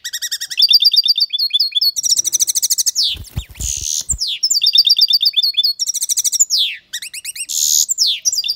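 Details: Loud European goldfinch song from an aviary bird: rapid, liquid twittering phrases of tinkling high notes, buzzy downslurred rasps and quick trills, broken once by a brief low rumble of handling noise.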